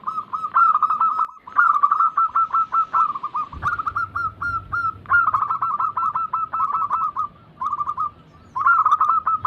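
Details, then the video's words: Several zebra doves (perkutut), local and Bangkok crossing types, singing together: long, dense rattling runs of short repeated coos at a steady pitch, phrases separated by brief gaps, a soft low hum in the middle. "Pancingan ampuh atasi burung perkutut yang sulit Gacor"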